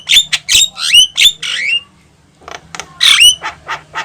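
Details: Javan myna singing loudly: harsh squawking notes with upslurred whistles, a short buzzy phrase, a pause, then more squawks and chirps; a low hum in the background.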